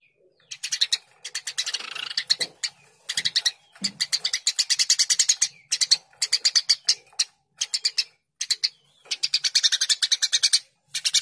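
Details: Lively Eurasian tree sparrow chirping for songbird training: bursts of dry, harsh chirps repeated rapidly in runs of five to ten, separated by short pauses, continuing throughout.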